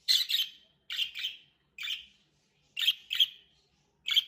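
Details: A hand-tame pet budgerigar gives harsh, scratchy chirps in quick bursts, with short pauses between them.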